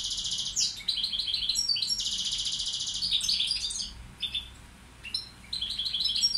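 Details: Balkan goldfinch (Carduelis balcanica) kept as a tutor bird: very high, rapid tinkling and twittering song in dense buzzy bursts, with short pauses and varied trills. Few other sounds, apart from a faint low background.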